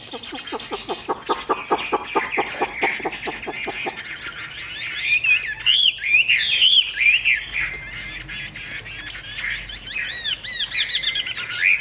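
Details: A caged Chinese hwamei, noted for fine looks and good singing, opens with a rapid run of repeated clipped notes, then moves into loud fluid whistled phrases with swooping slurs and high flourishes.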